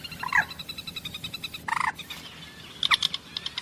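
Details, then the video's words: A common moorhen gives three rough, pulsed croaking bursts roughly a second or more apart, with quieter chattering notes trailing after the last, over continuous low background noise. "Common Moorhen birds sound || Jal morgi ki awaz"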